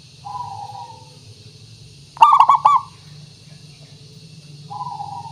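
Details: Zebra dove lure song meant to make other doves sing back. A quiet drawn coo, then one loud rolled burst of several quick coo notes, and another quiet coo at the end. Low hum in the background.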